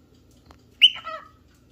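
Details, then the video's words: A cockatiel seeking a playmate or partner gives one loud call, a piercing high start that falls into a wavering lower tone lasting under half a second, with near silence around it. "Cockatail looking for a playmates"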